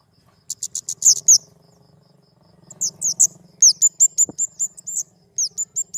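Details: Very high, sharp flowerpecker notes in fast clusters separated by short gaps, with a faint low hum beneath.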